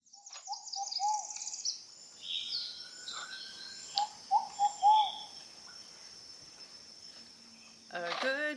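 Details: Short-billed Pigeon recorded in Costa Rica on 14 August 2024, giving soft, hooted phrases of about four mellow notes, heard twice. A steady high insect drone runs underneath and music begins at the end.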